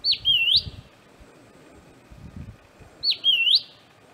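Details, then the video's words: Southern scrub-robin seen at close range, a rarely seen ground-dwelling bird: a high whistled call, sliding down then sweeping up, given twice about three seconds apart, with soft low rustling between calls. "An incredibly vocal Southern Scrub-robin (Drymodes brunneopygia)."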